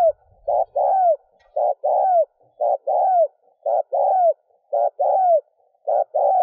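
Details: Spotted dove giving rhythmic cooing to excite a decoy bird; pairs of a clipped coo and a longer descending coo repeat steadily about once per second, with a faint low thump at the start.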